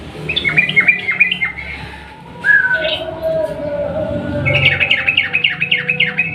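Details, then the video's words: Sooty-headed bulbul in lively 'ropel panjang' song used as a lure: opening chirp cluster, a clear falling whistle, a quieter stretch with low hum, then a rapid series of rising and falling chirps. "trucukan gacor ROPEL PANJANG pancingan burung trucuk yang macet bunyi agar ikut bunyi"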